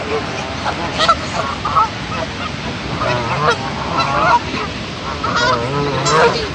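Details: Geese honking while one goose shows he does not like the others: a scattered series of nasal, harmonic honks rising and falling through the recording over a constant broadband roar of background noise.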